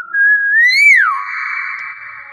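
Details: A talking hill myna whistles one smooth note that swells gently upward, then falls sharply and holds as a long, buzzy, steady tone fading at the end.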